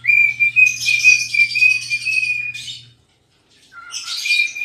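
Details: Singing cockatiel, a pet dancing and rubbing its tail: a long level whistle laced with buzzy, raspy noise for about three seconds, silence, then a short low note rising into another whistle.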